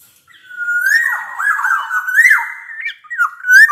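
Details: Black-naped oriole in full song, its recording meant as a lure to get quiet orioles singing; one long fluty whistled phrase with liquid slurred notes rising and falling, ending in a brief upward whistle after a short gap.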